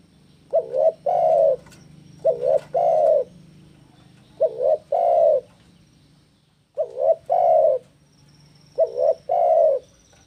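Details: Spotted dove in breeding condition challenging a rival: low cooing phrases of a short double note followed by a longer rolling coo, repeated about every two seconds over a low steady hum.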